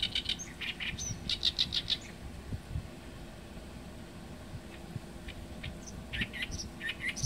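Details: Oriental reed warbler singing: harsh, chattering notes in quick bursts, a dense run over the first two seconds, then sparse quieter notes and another short burst near the end, over a steady low rumble.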